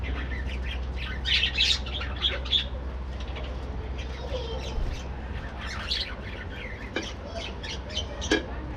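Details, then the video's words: Morning chatter from a budgerigar breeding colony: rapid, irregular high chirps and short squawks, densest in the first seconds, with occasional sharp clicks and a steady low drone underneath. "Budgies Playing | Activities | Breeding | Colony Parakeets Morning Activities"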